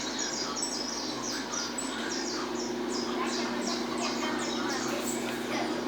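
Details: Song of a Peruvian saffron finch, estalando style: a fast series of high, downward-slurred notes repeated about three times a second for six seconds against a constant low background drone.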